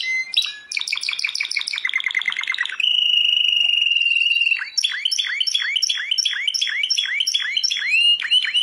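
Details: A world champion canary pours out a rapid staccato trill, a smooth steady roll, then a long run of repeated swooping notes.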